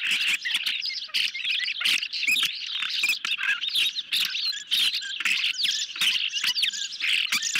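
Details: Ospreys at a nest camera being fed a medium-sized fish in the evening, July 2021; nonstop thin, high chirping with overlapping slurred notes, punctuated by frequent crackling clicks and knocks.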